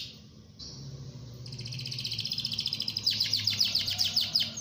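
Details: Gacor canary singing a lure song meant to prompt other canaries to sing: faint thin notes build into fast, bright, repeated trills that grow louder toward the end, with a low background hum.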